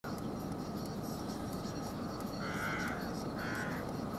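A rook gives two hoarse, drawn-out caws about a second apart, over a steady low rumble of wind or distant traffic.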